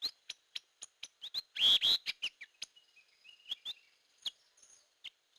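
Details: Srigunting kantil or gentolang, the hair-crested drongo, in a lure recording: quick high chirps repeated every few tenths of a second, a loud harsh double burst, then softer wavering whistles.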